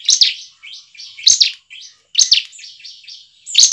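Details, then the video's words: Bar-winged prinia song played as a lure to get kept birds singing; short bursts of high, buzzy chirps repeated about once a second, each burst trailing into softer twittering notes, with no other sounds. "ciblek manapun langsung bunyi dengarnya dengan pancingan ciblek satu ini."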